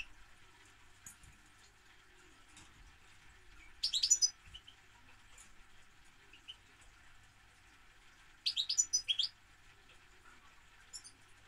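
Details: Two dense, high, rapid twittering phrases from a European goldfinch, spaced about five seconds apart, with scattered faint chirps and a low steady hum between them.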